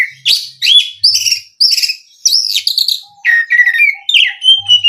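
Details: Oriental magpie-robin song played to provoke other magpie-robins, varied loud whistles rising and falling rapidly, mixed with scratchy notes, ending in a long steady whistle with soft low tones beneath.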